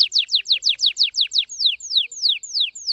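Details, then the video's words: Orange-red Red Factor Canary singing very fast: a steady run of about fifteen bright, sharply falling whistled sweeps, quickening then slightly slowing, clean with no background sounds. "Your canary Will Sing Unstoppably || The master singer || Best canary 2026||very fast singing canary"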